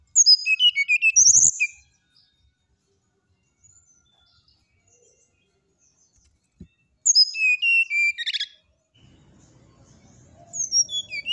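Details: Nyuling-style song of a brown-chested jungle flycatcher: rapid high whistled notes cascading down in pitch, one phrase at the start and another after five quiet seconds, then a low rustling murmur and a further phrase beginning.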